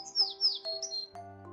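Sparrow giving a quick run of bright, high chirps over about a second, with soft background music throughout.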